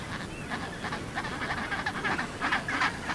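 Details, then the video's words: Chinstrap penguin: a run of harsh, raspy, braying pulses repeated several times a second, rising into louder bursts toward the end. "Chinstrap Penguin"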